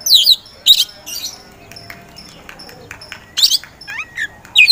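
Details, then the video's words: Oriental magpie-robin, kacer poci type, known for hesitant starts before lively singing. Scattered loud notes come out: sharp high chips and short slurred whistles separated by quiet gaps, with faint soft background noise. "KACER POCI GACOR SANG PROVOKATOR"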